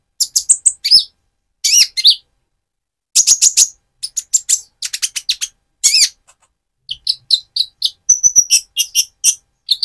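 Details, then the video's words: A persistently singing Van Hasselt's sunbird in immature spotted plumage serves as a lure for another sunbird. Repeated bursts of crisp, arched chirps end in a fast, tinkling series of high notes. "Burung Konin trotol gacor untuk pancingan menaikan mental emosi kolibri ninja"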